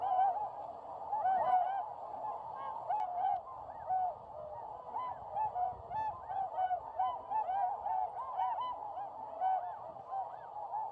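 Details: Tundra swans that wintered on Lake Biwa, Japan, calling while taking off northward on a calm March 4 morning, a large flock; many overlapping nasal whooping honks in a steady chorus, swelling and fading in waves.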